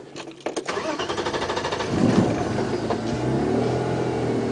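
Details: A vehicle engine starts and revs steadily on a sunset safari drive, with rattling clicks early on and no animal calls.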